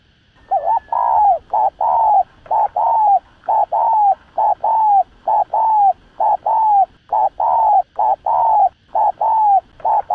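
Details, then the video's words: Spotted dove giving the urgent 'thúc gù' bowing coo used to excite decoy and wild birds for trapping: a fast, dense run of short mellow hooting notes, about one each second, evenly spaced with brief gaps. "Cu Gáy Thúc Gù. Tiếng Chim Cu Gáy Thúc Gù Cực Sung Kích Mồi Kích Bổi Cay Cú.cu đất, cu cườm gáy"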